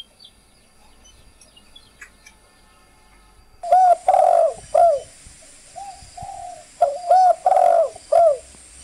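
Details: Spotted dove, green variety, calling as a recording used to train birds and stimulate decoy birds. After about three and a half seconds of near silence come two phrases of low, mellow coos: a short coo, a longer throaty coo, then a short final coo, with a soft coo between the phrases.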